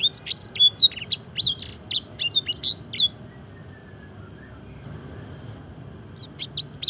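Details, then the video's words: Fancy canary practising a training song copying blackthroat and edel sanger birds; about three seconds of fast sharp chirped notes, then a quiet pause before a few more high notes return. "masteran suara burung kenari full isian mewah blackthroat dan sanger gacor"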